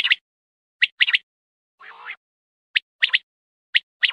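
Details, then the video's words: A quail gives sharp, high, clipped notes, one alone then quick pairs, about once a second, with one softer, rougher burst between; presented as a night quail-hunting lure call. "Quail Hunting Sound||Bater ki awaz"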